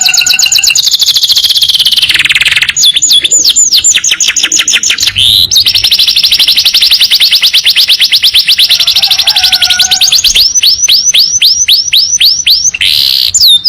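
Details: Canary in a training recording of long rapid-fire song: continuous high trills alternating with bursts of falling whistles, one buzzy rolling phrase stretching several seconds, singing without pause throughout.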